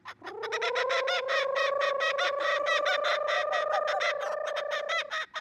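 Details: A captive female laughing kookaburra at a zoo, calling in the morning at breakfast, gives a rapid, steady run of hooting notes for about five seconds, almost four per second, like an engine revving; the call establishes territory.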